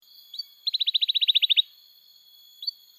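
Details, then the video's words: Canary song played as a lure to teach young canaries to sing: a brief, rapid trill of about fourteen sharp chips, framed by two short upslurred notes, over a faint steady high tone. "Kenari Gacor Panjang Cuit Cuit Emosi, Pancingan Kenari Paud Belajar Bunyi"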